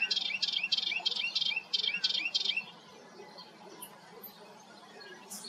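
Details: A Melodious Warbler singing at Hegenheim, France, in June 2023 gives a quick run of about nine bright, buzzy chirps, each with a rising slur, then falls quiet with only faint high notes and a low background rumble.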